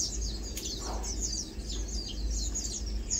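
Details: Lowland white-eyes resting, feeding and preening give a steady mix of thin, high chirps and short downslurred notes, overlapping constantly, over a loud low rumble of background noise.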